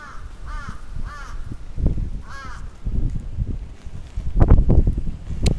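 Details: Crow on the attack in Atsubetsu Ward, Sapporo, June 2017, uttering three rasping caws in quick succession, then heavy rustling and thumps dominate.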